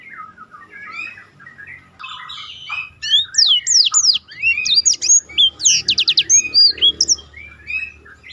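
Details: Black-throated canary roll song intended as a tutor for contest birds: soft low twitters build into loud rapid whistled slurs and a fast vertical trill burst, notes coming several per second.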